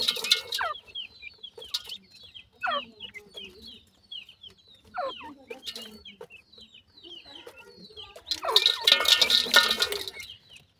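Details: Grey francolin (teetar) chicks of a kept family feeding, giving many thin, high peeping calls, short downward-sliding chirps repeated rapidly, with a louder burst of scratchy, broadband noise near the end.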